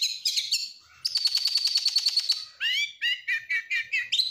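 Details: Stressed kacer, the oriental magpie-robin, song used as a provoking lure: a few buzzy notes, then a steady high whistle pulsed by about a dozen clicks, followed by a series of rising whistled swoops.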